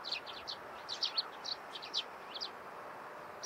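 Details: Eurasian tree sparrows chirping in the morning: short, high, dry chips in quick irregular bursts, several notes close together, over a steady low background hiss.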